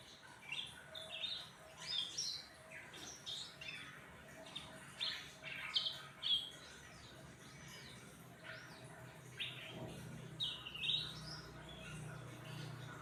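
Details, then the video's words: After a meal of crickets and time in the sun, a cucak ranting sings busily: rapid high chirps and twittering phrases, pausing briefly, with low rumbling background noise near the end. "Burung cucak ranting jadi gacor habis dikasih jangkrik + jemur"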